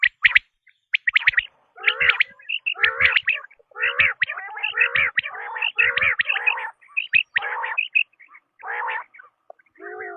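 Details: Quail call, described as a tested sound: bursts of chirpy, rasping notes clustered in quick runs, repeated with short gaps throughout, with no other sounds heard.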